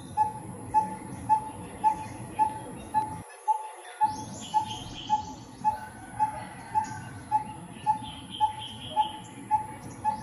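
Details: Coppersmith barbet from 2020 footage giving a long, very regular run of short hollow notes at one low pitch, roughly two each second, over background hum and occasional faint higher bird chirps.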